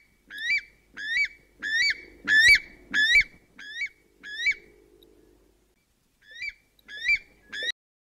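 A weka gives a run of loud, shrill, upward-sweeping whistles, about seven in quick succession, a brief pause, then three more.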